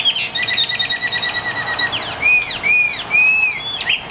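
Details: Chinese hwamei song: a fast trilled rattle of repeated notes, followed by clear, ringing upward-arching whistles repeated several times.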